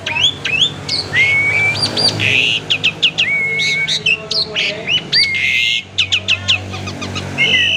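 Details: Caged Asian pied starling giving a varied lure song: slurred whistles, crisp chirps and short harsh rasps mixed together in a lively, continuous stream.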